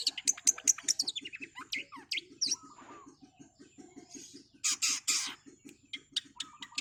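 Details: Long-tailed shrike singing at speed: quick series of sharp high chips and descending slurs, then a pause and harsh noisy bursts, with a steady low pulsing beat throughout.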